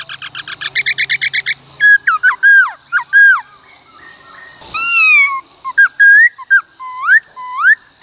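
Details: Black-throated laughingthrush singing its 'wild voice' for training young and wild-caught birds: opens with a fast string of short repeated notes, then loud slurred whistles and a long descending whistle, with a constant high hum.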